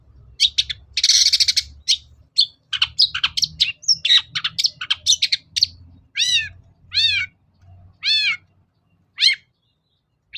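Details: Long-tailed shrike (cendet) song used as a lure for birds that will not sing: dense harsh rasp and rapid mixed chirps, then four loud, arching squeals repeated about once a second.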